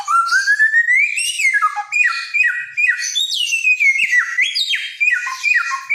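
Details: Energetic helmeted friarbird singing, a Nusa Tenggara mimic: an opening long rising whistle, then stepped falling whistles and harsh chattering phrases delivered rapidly and loudly.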